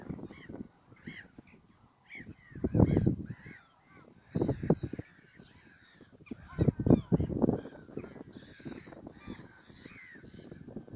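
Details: Caspian gulls at Wijster (VAM), 21 March 2021, give harsh, nasal squealing calls in quick overlapping bursts, with other gulls calling and a heavy low rumble of wind or machinery beneath.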